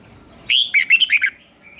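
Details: Red-whiskered bulbul in morning competition-singing training, a twisting 'giọng xoắn' style: a short burst of five loud, warbled notes that jump and slide between mid and high pitch, with a faint thin whistle before and after.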